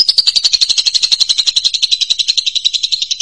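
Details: Lovebird in full chatter, kept for tutoring other birds: a fast, high, buzzy stream of pulsed chirps, about four per second, steady throughout, with no other sounds.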